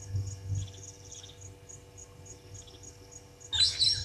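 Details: Brown-headed parrots at Gowrie dam waterhole, Djuma Game Reserve, Sabi Sand Wildtuin, South Africa, live camera, 26 June 2023, 16:54; a sudden harsh, shrill squawking burst near the end over a steady pulsing insect trill and low hum.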